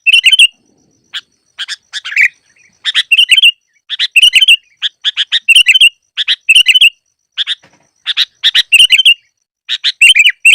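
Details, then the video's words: Trapping lure recording of sooty-headed bulbul: lively, dense clusters of crisp chirps mixed with gurgling, warbled notes, repeated in irregular bursts throughout with only short gaps. "Masteran burung KUTILANG cocok untuk pikat yang malas bunyi"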